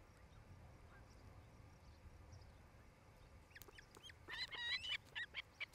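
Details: Osprey at a nest near Charlo, Montana, filmed by a nest camera on 07-08-2018 around 17:00; after quiet background, a burst of sharp, rising whistled chirps arrives in the final two seconds, repeated rapidly.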